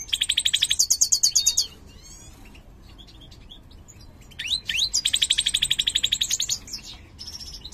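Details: Mutant large-form European goldfinch singing two long, loud, fast buzzy trills of rapidly repeated high notes, separated by a quieter stretch of faint clicks and short notes.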